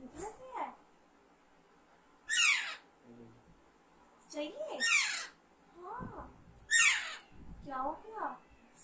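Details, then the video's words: Alexandrine parakeet repeating harsh falling shrieks at irregular intervals, three strong ones, mixed with shorter rising chirps and soft mumbling sounds. "Alexander parrot natural sound"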